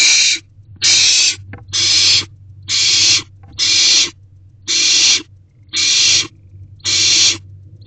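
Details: Owls in a nest box at 8:26 pm on 3/16/24 as a mouse is delivered; loud broadband rasping hisses repeated about once a second, eight in a row, over a low steady hum.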